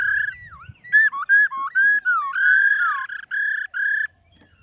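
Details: Black-throated laughingthrush singing forest-style to stir caged birds: a tumbling string of looping, dipping whistles, then a drawn-out falling note and several short bright whistled bursts.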